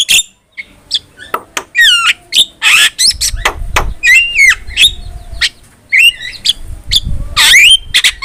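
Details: Active Javan myna song used as training material for songbirds: squeaky chips, twisting whistles and harsh noisy bursts, with some low background rumble.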